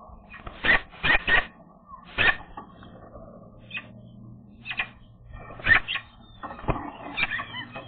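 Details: Eurasian magpies defending their nest during the breeding season, recorded 27 April 2022 near spruces where eggs are due: harsh, rasping chatter in short broadband bursts, clustered in quick runs of two or three with gaps between.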